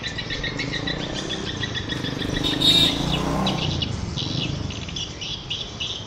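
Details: Edible-nest swiftlet calls in a swiftlet-farming setting: quick repeated high chirps at first, a louder buzzy burst midway, then further twittering bursts, all over constant low background noise.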